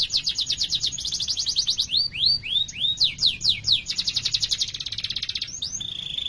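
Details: Canary song used to prompt other canaries: long run of rapid trills between 3 and 7k, interrupted by a series of sweeping slurred notes, then another fast rattling trill ending in a steady whistled tone.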